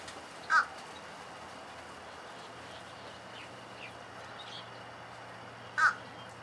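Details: Fish crow giving two short, clipped nasal calls about five seconds apart against a quiet, steady outdoor background.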